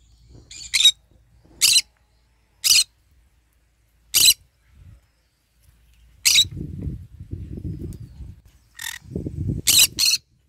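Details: Green-cheeked conure basking and eating in morning sunshine: about eight loud, grating squawks at uneven intervals, the last ones in a quick cluster, with bouts of low rustling between them.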